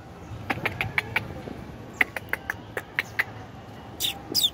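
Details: Asian pied starling chirping: short, sharp, high chirps repeated irregularly over a few seconds, with a louder harsh burst of notes near the end.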